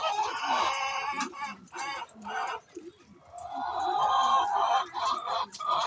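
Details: Chicken making noise before laying an egg: repeated nasal, harmonic squawks in quick bursts, then a longer drawn-out wavering call near the end, with some rustling around the calls.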